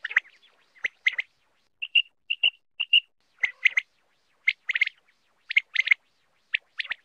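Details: Common quail, possibly a male, gives short, sharp, high chirps in quick clusters of two or three, repeated about once a second, against a quiet background; a hunting lure call.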